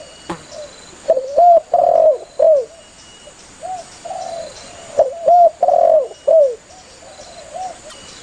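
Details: Spotted dove, singing actively and calling its companions, used as a hunters' lure: two clear phrases of three mellow low coos, the middle note longest, separated by quieter scattered coos, over a faint constant hum.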